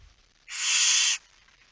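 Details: One loud, drawn-out rasping hiss of nearly a second from a barn owl at its nest, recorded at 22:45 on 10 September 2019 during feeding.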